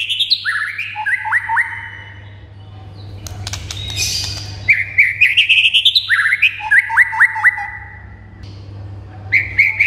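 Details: White-rumped shama singing to provoke other shamas into answering and singing vigorously: bursts of rich whistles and fast slurred notes, a short pause with scratchy sounds, then more rapid whistled phrases, with a steady low hum beneath.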